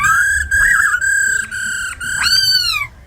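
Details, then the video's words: A tame laughingthrush sings a wild-type forest song while a female calls: sustained loud pure whistles, steady with slight wavers, broken by short gaps, ending in a rising then falling slurred note. "Tiếng chim khướu mái ro khẹt + khướu mun thuần hót giọng rừng"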